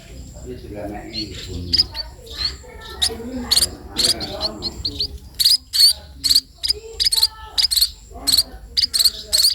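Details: Sparrow chicks being fed, begging with shrill, high chirps repeated in quick bursts, several a second, over a soft low murmur in the background.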